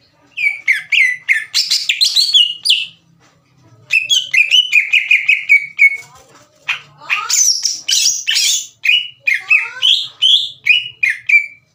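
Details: Lure song of a green leafbird meant to stir rival leafbirds into replying: long bursts of quick, varied, shrill notes, some high and buzzy, others sliding down, broken by brief pauses.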